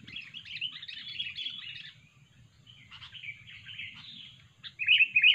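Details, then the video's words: Sooty-headed bulbul, billed as fierce and vocal and used to lure birds for trapping: a dense, scratchy babbling chatter that fades mid-clip and returns, ending in loud clear whistled phrases over a soft low hum. "kutilang super ganas dan gacor"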